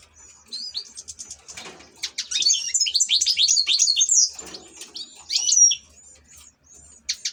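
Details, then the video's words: European goldfinch, an ornamental cage bird, pouring out a quick tinkling twitter of tightly packed high notes for about two seconds, followed by scattered chirps and a short buzzy flourish. "#الحسون# احلى تغريد في طيور الزينة"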